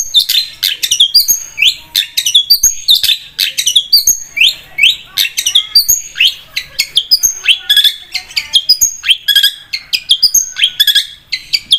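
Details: Long-tailed shrike (cendet) song, lively and continuous: a nonstop varied sequence of high sweeping whistles, sharp chips and short trills with hardly any pause.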